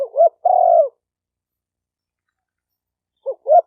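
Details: Spotted dove used in training a newly caught bird gives a double hooked note and a sustained falling coo. A long pause follows, then the phrase begins again. The setting is quiet.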